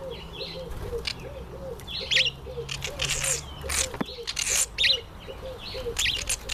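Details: Male red-collared widowbird in breeding season, with a short buzzy chirp phrase repeated about every second and a half against a steady background and a low regular pulsing hum.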